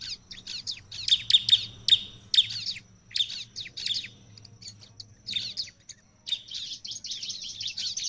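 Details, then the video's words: Scratchy, rapid ciblek chatter with a few ringing chirps, aimed at provoking other prinias to answer. Irregular bursts build into a continuous buzzy jumble toward the end. "ciblek lain akan langsung nyaut gacor dengan suara ciblek gacor ini"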